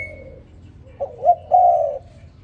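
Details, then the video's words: Spotted dove calling in the morning: after a faint low hum, a short soft coo, a brief rising note, then a longer, louder level croo, all low and mellow. "Morning dove, Sound Spotted Dove ln The Morning So Beautiful"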